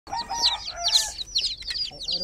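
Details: Several domestic chicks in a water pool give shrill, high downward-slurred peeps, overlapping and rapid, with brief quieter gaps between bursts.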